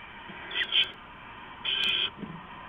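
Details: Owls at a nest before dawn, 4:31-4:40 AM on 15 November 2015, as an adult comes and goes and brings rats to the owlets; two harsh, breathy hissing bursts, each about half a second long.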